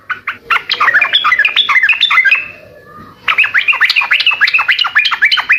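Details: Sooty-headed bulbul in loud gacor song: rapid, rollicking strings of slurred chirps rising and falling, a run of about two seconds, a brief lull, then another fast chattering run.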